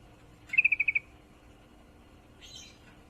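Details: Yellow-vented bulbul hen in heat calling a male, giving one quick burst of six or seven clipped, even notes in a dry trill, followed by a soft, higher chirp.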